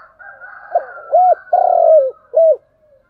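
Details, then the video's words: Single 'thúc gù' cooing phrase from a spotted dove, low and hollow: a soft start, a rounded hoot, a long vibrating falling coo and a closing hoot, with a faint steady higher tone behind. "tiếng cu gáy/ cu gáy thúc gù"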